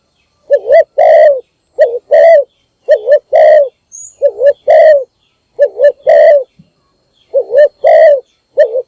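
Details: Morning calls of a decoy spotted dove meant to attract other doves: rapid run of double coos, a wavering rising note then a broad sustained coo, repeated about eight times with short gaps.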